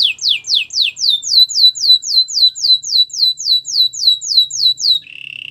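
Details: Canary singing to encourage other canaries to sing: a long run of clear down-slurred whistled notes, about four per second, ending in a short, steady buzzy trill.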